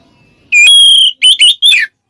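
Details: Oriental magpie-robin in ngeplong style, calling a rival: one long, sustained clear whistle followed by three shorter, buzzy-edged whistled notes, the last sliding downward.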